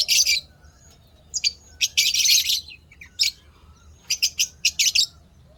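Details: Lovebirds kept as pets, said to be happy, give loud clustered high chirps and short chattering bursts, several quick notes grouped together near the end, over a soft low hum.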